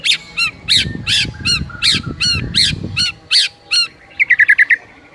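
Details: White-rumped shama singing in a morning masteran recording: harsh, scratchy notes with a squawking quality repeated roughly twice a second over a low background rumble, then a quick burst of five high chips.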